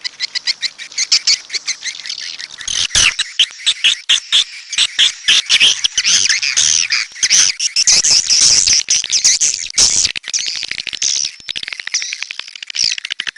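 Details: Swiftlets chatter in a long, dense stream of high, buzzy chirps and clicks, with louder busy stretches in the middle and near the end.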